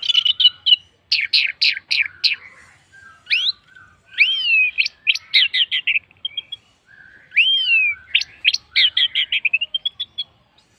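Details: Orange-headed thrush singing, used as a lure to get other birds to sing: loud varied phrases of rapid repeated chirps, slurred rising and falling whistles and quick trills, with short pauses between bursts.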